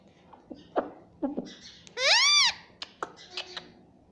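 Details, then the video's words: Indoor pet rose-ringed parakeet that talks, saying "mummy": one loud, arched, harmonic word-like call in the middle, with soft clicks and tapping before and after in a small room. "Talking parrot || talking parrot mummy papa || bolne wala tota"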